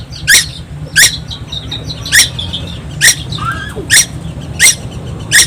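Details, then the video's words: Young tuwu of Timor Island, Indonesia, singing continually: repeated harsh squeaky notes roughly every 0.7 seconds, with a faint descending whistle midway and a low hum throughout. "burung tuwu Pulau Timor gak pernah diam"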